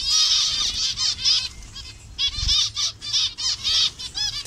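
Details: Colour-variant zebra finches in a Bangladesh colony give strong nasal honking beeps, a dense burst at first, then a pause and a series of separate calls spaced through the rest.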